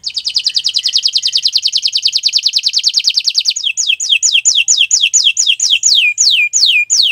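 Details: Canary singing on a Friday morning in a full-length session: a fast buzzy trill of rapid notes, then slower, evenly spaced descending whistled sweeps repeated about twice a second.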